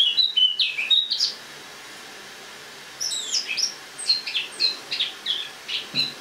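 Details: Caged Eurasian blackcap in autumn song, recorded in a kitchen on the morning of 1 October 2017: a burst of clear warbled whistles, a pause of about two seconds, then a fresh run of high chirping phrases.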